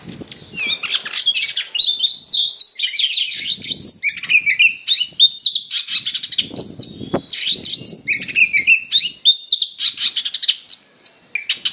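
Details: Long, unbroken fight-provoking song of a kacer, the Oriental magpie-robin: a fast, varied mix of harsh scratchy bursts, sharp chips and whistled sweeps, about three notes per second, with a sharp click near the middle.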